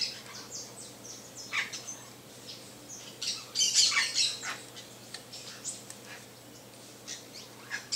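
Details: Saffron finch (canário-da-terra) producing quick, sharp, high chirps at an irregular pace, with a louder cluster of overlapping notes near the middle.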